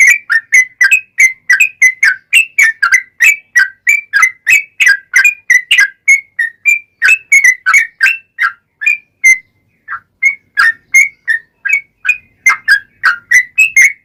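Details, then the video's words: Yellow-vented bulbul singing actively in the long rapid 'ropel panjang' style, used to draw answers from other bulbuls: a fast, chattering stream of bright whistles, a one-second gap, then the run resumes. "SUARA trucukan gacor ROPEL PANJANG pancingan trucukan agar bunyi"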